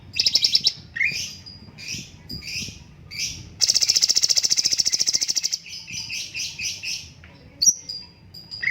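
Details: Cucak cungkok bulbul, a caged songbird recorded as a master voice for training other birds, giving high sweeping chirps, then a long fast buzzing rattle, then quick bursts of chirps and a sharp whistle, with no other sounds.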